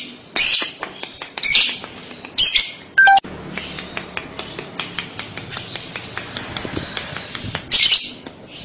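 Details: Lovebird singing a kekek-style chatter, played to prompt a young lovebird to answer and sing. Loud, shrill, squeaky bursts of rapid high chirps alternate with scattered sharp ticks. A brief tonal whistle drops in pitch near the middle.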